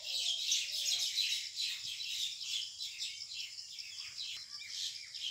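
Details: Fighting common mynas contest a date palm hollow as a nest site, rural village, evening of 6 May 2021: scratchy, buzzy chattering calls in quick uneven runs, with a few lower whistled notes early on.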